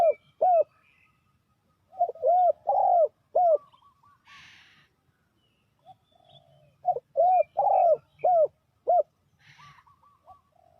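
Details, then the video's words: Spotted dove used as a decoy to lure wild doves for trapping, giving two phrases of short, mellow, rounded coos, each phrase about two seconds of rapidly repeated notes, separated by a pause; brief rustling noise bursts between phrases. "The Sound Of Spotted Dove is good"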